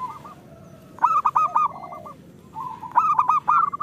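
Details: Zebra dove, local type, singing loudly; two phrases, each opening with a soft hoot and breaking into a rapid, stuttering series of bright coo notes.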